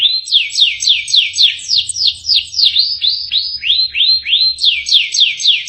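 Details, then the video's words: Canary delivering 'full isian' song: a steady series of looping, swooping syllables repeated about three to four per second, dipping and rising in pitch, shifting to a lower rolling phrase midway before climbing again. "BURUNG KENARI FULL ISIAN"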